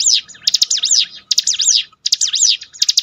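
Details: Bar-winged prinia song used as a lure recording to train the bird and rebuild a downcast bird's spirit: fast bursts of high, looping V-shaped notes, with brief pauses between phrases.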